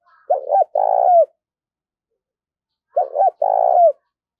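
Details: Decoy spotted dove calling wild doves with two identical cooing phrases about three seconds apart, each a quick wavering double coo followed by a longer, slightly purring note that falls at the end; nothing else audible.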